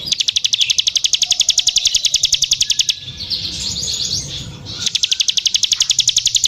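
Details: Bar-winged prinia, known locally as ciblek sawah, singing energetically: a rapid, regular series of sharp high chips, about three or four per second, broken midway by a brief rustling, noisy pause before the repeated chipping resumes.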